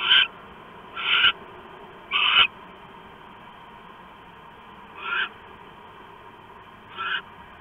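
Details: Owl calling at a camera-watched nest around 7:36 PM, 3 September 2015, while eating a stored rat; five short, harsh screechy bursts, the first three about a second apart, then two fainter ones after a pause.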